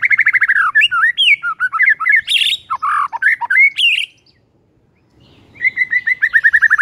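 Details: A White-rumped shama sings in the morning to provoke rivals. A fast train of repeated downslurred whistles runs into varied chirps and upswept notes, goes quiet for a second, then the rapid repeated whistles resume.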